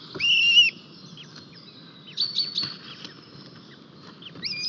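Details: White-tailed eagles at their nest in Estonia on 4 May 2023, where one new chick has hatched and the male brings a fish, filmed by a live nest camera; two bursts of high, thin, whistled calls, then a faint call at the end.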